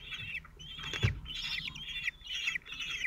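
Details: Male Common Kestrel feeding four 17-day-old chicks at the nest, Théding, France, 27 June 2023. Piercing, buzzy calls come in about five bursts over three seconds, with a dull knock and rumbling background noise.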